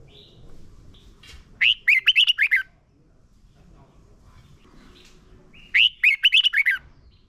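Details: Red-whiskered bulbul song used for training caged birds to sing: two bright bursts of quick warbled, chattering notes around one second each, separated by about three seconds of near silence with low background rumble.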